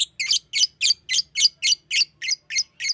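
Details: A green lovebird repeats a high, squeaky chirp about every quarter second in a steady, even run of about eleven notes against a quiet background.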